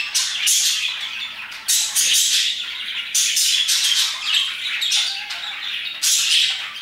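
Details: Around 2pm a group of parakeets chirps loudly, sharp raspy squawks in repeated bursts roughly every second, mixed with thin whistled notes beneath the chatter.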